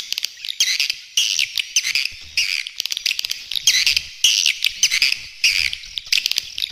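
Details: Lure recording of swiftlets for feeding areas and flight lines. Harsh, buzzy chirping bursts come roughly every half second to a second, each a short, high, rasping chatter separated by quieter gaps.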